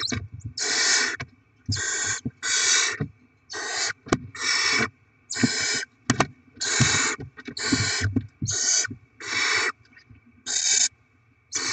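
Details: Barn owls at the nest as rodents are brought to the chicks, 7 February 2024: a long series of harsh hissing screeches, about one per second, with scattered clicks and scratching between them.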